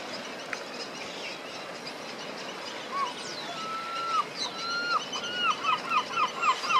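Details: Yellow-legged gulls, an adult with three juveniles, at Alvor in the Algarve, Portugal: a series of short clear yelping notes that speed up into a rapid repeated run toward the end, against a soft background hiss.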